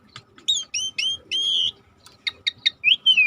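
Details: Starling on a training recording: a few clear downslurred whistles, one drawn out, followed by short sharp chips and a rising high note.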